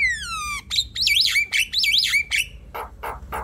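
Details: Javan myna song for prompting a reluctant bird: a falling harmonic whistle, then two wavy whistled swoops and three coarse, buzzy calls at the end.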